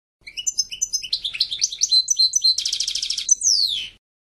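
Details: European goldfinch delivering a continuous twittering song: rapid repeated tinkling notes, a dense buzzy trill, and a closing high whistle sliding downward.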